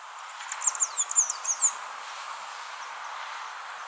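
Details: A Bat falcon in Panama gives a quick series of about seven thin, shrill, down-slurred notes in just over a second, over a steady hiss of insects and ambient noise.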